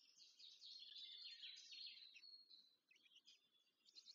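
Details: Black stork nestlings fed at the nest, Łódź region, Poland, 14 May 2023. A shrill, wheezy, high-pitched begging chatter goes on steadily for over two seconds, then breaks into shorter squeaky phrases.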